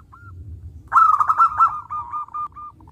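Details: Local zebra dove singing loudly: one faint coo, then an abrupt cascade of fast, throbbing notes easing into a few short evenly spaced coos, low background rumble.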